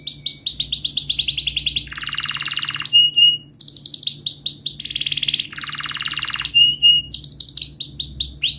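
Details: Canary song, long rolling singing used as a lure to get a stalled or young canary singing: rapid trills and repeated chirping phrases switching every second or so, including a lower buzzy rolled section, loud and continuous.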